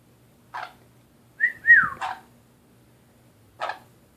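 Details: A pet Nanday conure, calling at a mirror indoors, gives two short whistled notes, the second bending downward, between three brief raspy chirps spread over about four seconds.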